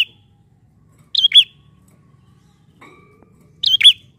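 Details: Bar-winged prinia calling as a lure sound, two paired bursts of sharp, high chirps with a swooping downward twist, separated by a long pause; a faint low tonal note sounds briefly between them.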